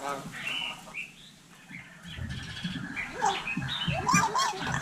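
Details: Hill myna in Vietnam mimicking human speech: a run of short whistled and warbled notes near mid pitch, some bending upward, over low murmuring voice-like sounds, with louder overlapping whistles toward the end.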